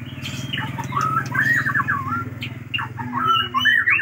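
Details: Aceh-type white-rumped shama pouring out a long, varied song of quick slurred whistles and chattering runs, partly masked by a steady low engine drone throughout.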